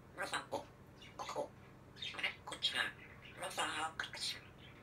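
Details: A talking grey parrot: bursts of speech-like syllables with breathy, broad tones in short phrases, pausing between groups of words.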